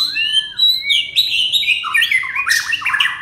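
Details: Red-whiskered bulbul singing: thin high notes over a clear downslurred whistle, then a quick run of bright warbled phrases ending in harsh, scratchy bursts.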